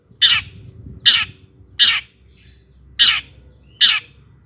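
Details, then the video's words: Long-tailed shrike song for provoking other shrikes to sing: five loud, harsh, scratchy notes spaced about every three-quarter second over quiet background. "kicau cendet gacor JITU di cari BUAT PANCINGAN CENDET AGAR EMOSI DAN GACOR"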